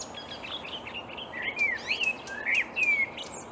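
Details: In a Swedish reed bed at Upplands Väsby, a marsh warbler sings at dawn in May 2020, pouring out varied, loud slurred whistles that swoop up and down, mixed with brief buzzy notes.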